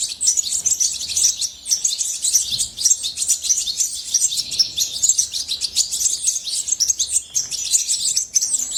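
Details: Goldfinch singing, a hobbyist-kept bird, in a long unbroken stream of rapid, high-pitched twitters, chirps and liquid trills with a lively, jangling quality.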